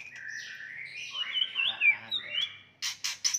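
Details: White-rumped shama fighting song to provoke rivals; rising and wavering whistles over faint low hum, ending in three harsh broadband bursts.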